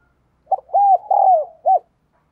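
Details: Spotted dove kept as a lure to excite rival males, giving a single soft four-part coo: quick first note, two sustained arching notes, the second falling, then a crisp short ending.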